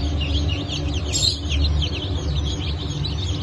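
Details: Fresh Cream Legbar and Rhode Island hatchlings, 29 August 2024: a chorus of high, thin, falling peeps, somewhat softer, set against a strong constant low droning hum.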